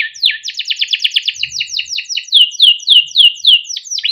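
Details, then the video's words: Young canary singing long and freely as a master song for juvenile canaries: a low swoop, a fast dry rattling trill, then evenly spaced downward-sliding whistles about four per second. "SUARA KENARI MUDA GACOR untuk pancingan kenari paud || kenari gacor panjang || canaries singing"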